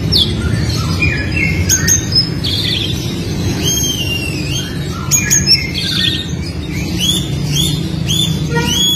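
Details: Oriental magpie-robin in fighting song, used to train young birds to sing, pours out a dense stream of varied whistles, slurred notes and sharp clicks, with a steady low rumbling background throughout.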